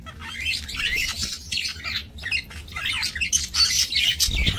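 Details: Breeding budgerigars in a minimalist aviary on 28 November 2024 keep up dense, continuous scratchy warbling and squeaky chatter, several birds overlapping, above a low hum.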